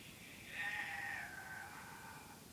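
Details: Pet parrot letting out a drawn-out, wavering, nasal cry that slides slowly downward over about two seconds, rich in harmonics, with faint low background hum.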